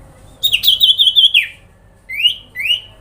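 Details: Sooty-headed bulbul grincingan call meant to stir other bulbuls into answering: a fast, high trilled phrase falling at the end, then two separate rising whistled notes after a pause.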